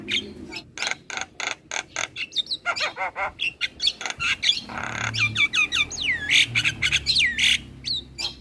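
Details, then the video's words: Javan myna delivering a master song to teach other birds: a rapid run of harsh repeated squawks, a scratchy buzzy stretch, then looping whistled notes that swoop down and up. "Jalak kebo Gacor Parah Bikin Burung Lain yang Dengar Ikut Bunyi - Masteran Jalak Kebo Juara"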